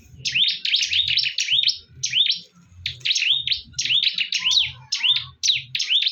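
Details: Bar-winged prinias locked in a fierce fight keep up quick strings of high, rising-and-falling chirps in several close bursts, over soft low thumping.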